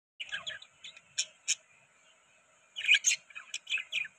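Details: Budgerigars eating soft food give bursts of bright, high chirps and short warbles, separated by brief pauses, with a steady faint high hum behind them.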